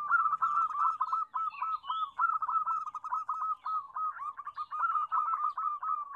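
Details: Lively chorus of local zebra doves, meant to lure shy doves into song: continuous chains of rapid, even cooing notes at one pitch for six seconds, overlapping voices, with a few faint squeaky higher calls.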